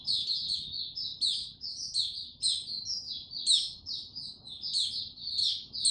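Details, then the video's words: Male white-eye (Mata Puteh), dated 06-03-2022, gaining confidence before opening into full song, slow and steady: a continuous high, thin twittering of short warbled notes with brighter sharp peaks every half second or so. "Mata Puteh Before he open buka Tsunami Video 1 gaining confidence to buka slow n steady"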